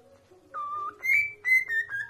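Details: Singing pet parrot giving a sustained whistled note followed by higher, drawn-out whistles that step gently downward, with a constant low hum in the room.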